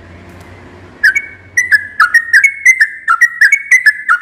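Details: At dawn, a sooty-headed bulbul sings a quick series of clear, mid-pitched whistled notes that step up and down. A low hum fills the first second before the bird starts.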